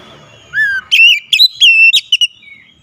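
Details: Loud lure song of an oriental magpie-robin meant to spur a quiet bird into singing: a falling whistled slur, then rapid clear whistled notes in short bursts, some sliding up, others steady.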